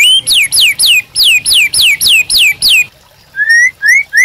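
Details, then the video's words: Training song of white-rumped shama for caged birds: nine loud, sharply falling whistles in a steady row, then a pause and three rising whistled notes. "MASTERAN MURAI BATU GACOR AMPUH UNTUK PANCINGAN DAN MASTERAN MURAI BATU JADI GACOR"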